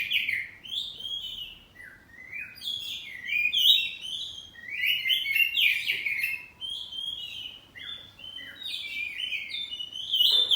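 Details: Caged kacer poci magpie-robin pours out ngeplong song while answering another. Ten seconds of varied warbled whistles, trills and sweeping notes come in several loud waves with brief softer gaps.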